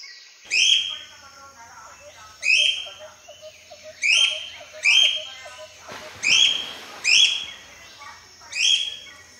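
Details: Tame cockatiels, kept at home, sing in a happy mood: bright, harmonic whistled phrases in bursts, about every one to two seconds.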